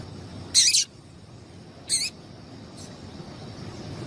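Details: Calls of a female double-collared seedeater, used to excite a kept male into singing: two short, very high, slightly warbled chirps about a second and a half apart, then a faint third note, over a low steady hiss.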